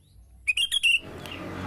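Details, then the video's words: Sooty-headed bulbul song, held to be worthless as mimicry material for contest birds, especially the white-rumped shama: a quick bubbly phrase of four clear whistled notes, rising then levelling off, lasting about half a second, then faint hiss. "Jadi intinya nih guys, suara burung kutilang sama sekali tidak bermanfaat untuk burung lomba terutama murai batu dan wajib sekali dijauhkan dari burung lomba ini terutama di waktu pagi."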